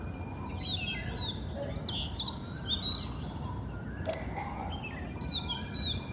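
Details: Oriental magpie-robin (doyel) in the morning, recorded from home in Bengal: clear whistled notes, many sliding up or down, in varied phrases with short pauses, over a steady low rumble of background noise.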